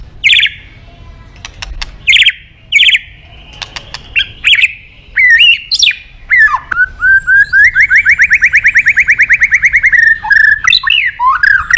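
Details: White-rumped shama song used to goad other birds into singing: spaced sharp whistled phrases with loud clicks, building into a long rising and falling rattling trill, then twisting whistles to close.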